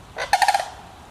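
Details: Sandhill crane family in Petoskey, Michigan: one short, rolling call with a burst of rapid harmonic pulses. It lasts about half a second and stands over faint background hiss.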